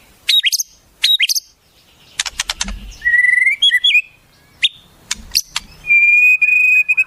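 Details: White-rumped shama singing a master-tutor song said to hold wild-bird mimicry: sharp upswept notes, a rapid clicking burst, then long steady whistles and a wavering whistled phrase.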